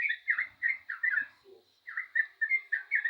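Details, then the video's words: Yellow-vented bulbul in lively full song: bubbly, gurgling whistled phrases of quick two- and three-note notes, delivered in bursts with a short pause mid-way, a faint steady background hum. "burung trucukan gacor jos"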